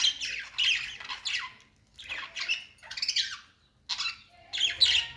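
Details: Singing budgie producing separate bursts of harsh, scratchy chatter with descending squeaky slurs, five or six phrases spaced by short silences over a few seconds.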